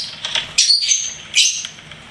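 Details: Pet lovebird chirping: quick high buzzy twitters, a strong shrill burst followed by a second harsh chirp, over faint background hiss.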